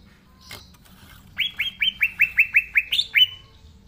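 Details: Green leafbird singing energetically: after a faint note, a run of about ten clear upslurred whistles, evenly spaced and bright, the last two slightly higher.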